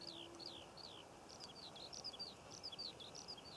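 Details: Skylark singing above poppy fields in Cornwall, June 2014. Soft, high twittering notes run on continuously, with a few sharper chirps near the end.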